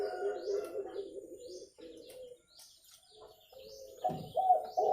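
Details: Spotted dove, a clear recording meant for luring birds: low, mellow cooing phrases with rolling, throaty notes, a pause, then louder coos resuming; thin high chirps from other small birds in the background.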